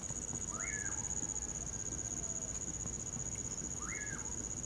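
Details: Common pauraque at night in winter: two whistled calls about three seconds apart, each rising quickly then sliding down, set against a constant high-pitched cricket chorus and crackling campfire.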